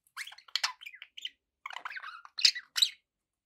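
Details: Budgerigars kept as pets warbling in quick clustered chirps and squeaks, a brief pause, then more wavering chatter ending in two sharp, louder squeaks.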